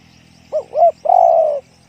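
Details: A single spotted dove phrase in the 'one kuk, big voice' style: two quick curved coos, then one long, even, resonant coo of about half a second. A faint hum is heard throughout.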